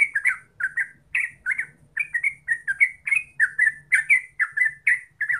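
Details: Yellow-vented bulbul (terucuk) lure song meant to get birds singing actively: a rapid series of short bubbly, gurgling notes, mostly paired, repeated without pause for five seconds, with a faint low hum underneath.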